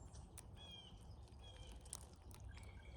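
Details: Cowbirds feeding in numbers during migration in North America utter short, thin, level whistles at scattered intervals over quiet outdoor background noise.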